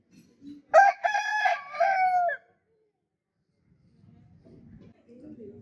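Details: One strong, harmonic rooster crow lasts about one and a half seconds and ends on a drawn-out falling note. Silence follows, then faint low clucking murmurs.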